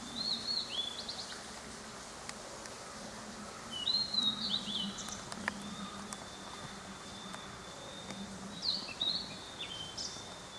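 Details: Small birds singing amid fresh spring greenery in the maple valley of Tatsuno, Japan: scattered high, thin chirps and short twittering phrases, with a faint sustained high whine and soft background rustle.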